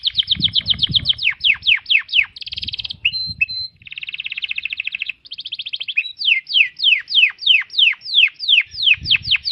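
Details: Domestic canary song of the extrajos style, used for tutoring cage birds: rapid high trills of falling sweeps, broken by buzzy rolling rattles and a short whistled note, running continuously.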